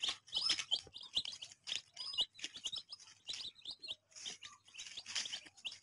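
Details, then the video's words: Colourful baby chicks chirping: dense bursts of short, high peeping notes, many birds overlapping, with an occasional longer, lower sliding tone in between. "Chick Chirping"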